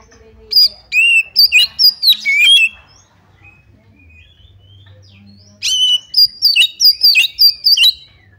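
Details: Oriental magpie-robin giving a provoking song meant to draw another bird into fighting: two loud bursts of varied whistles and chirps, separated by about three seconds of near quiet with a faint low hum.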